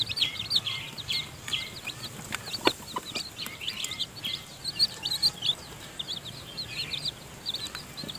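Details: Seven-tailed chicks, newly hatched and still in the nest, being fed by their mother hen: a steady chorus of shrill, quick peeps, several per second, with occasional sharp knocking clicks.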